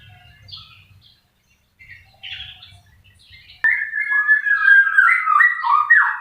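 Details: White-rumped shama song: after a few faint scattered notes, a loud burst begins partway through, a rich run of rapid warbled and whistled phrases sliding up and down, continuous and varied to the end.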